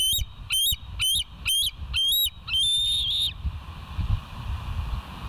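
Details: Bald eagles at the West End nest, filmed on 13 July 2023 by a live nest camera: a series of sharp, high, slightly rising chirping notes repeated about twice a second, ending in a longer drawn-out whistle, over low rumbling background noise.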